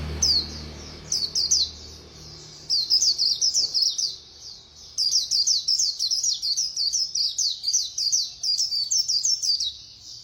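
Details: Rapid-fire khuyên líu song from a white-eye: brief high phrases at first, then near-continuous quick twittering bursts from about five seconds to the end, high-pitched and tightly repeated.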